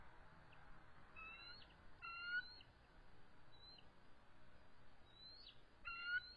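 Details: Evening of March 23, 2014, resident eagle pair lowered in full defensive position at the nest as an adult intruder arrives: two bouts of high, harmonic whistled calls about four seconds apart, with fainter notes between.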